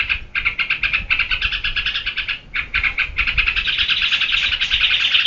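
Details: Yellow-vented bulbul in geberan mode: spaced, choppy bursts at first, a pause around two and a half seconds, then a steady, rising, intense stream of rapid rasping notes.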